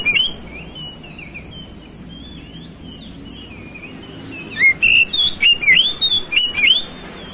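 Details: Magpie-robin song played to provoke fighting: soft wandering whistles, then a loud fast string of about eight bright, sharply swooping notes.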